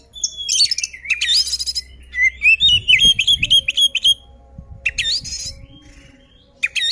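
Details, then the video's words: Oriental magpie-robin singing a loud, lively song used to provoke rival birds into fighting: fast bursts of clear whistles and sweeping slurred notes with sharp chips in between, mostly high-pitched, with short pauses between phrases. "suara burung kacer gacor ngeplong tarung ini ampuh buat pancingan kacer agar emosi"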